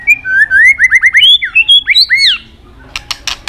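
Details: White-rumped shama tail-snapping and flicking while singing a fighting song meant to stir other birds: a fast string of loud, slurred whistles rising and falling, then a pause and a few sharp dry clicks.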